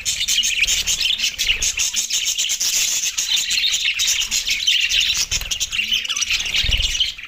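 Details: Australian budgies feeding on soft food on December 4, 2023, giving a dense, continuous stream of high chattering chirps and warbles without pause.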